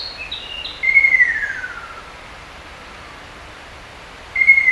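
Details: Ruddy kingfisher, a forest bird, in spring to early summer gives a long, descending rolling trill sliding downward in pitch, with a second phrase beginning at the end; faint high notes from another bird come first.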